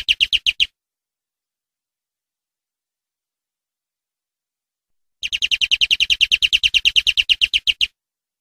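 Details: Clean greenfinch tutor recording for captive birds: a short rapid trill, a long silence, then a longer fast rolling trill of similar notes. Faint low ticking runs under each trill.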